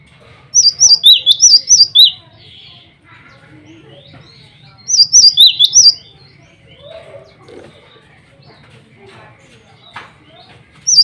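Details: Male cinereous tit, vigorous song used to challenge rivals and attract females: repeated runs of six or seven high, sharp whistled notes, pauses of a few seconds, soft chirps between.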